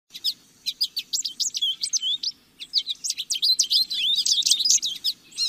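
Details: Lesser goldfinch (Spinus psaltria) song: rapid, jumbled high twittering of slurred whistles and buzzy chips, with a short pause midway before a denser burst; faint low hum underneath.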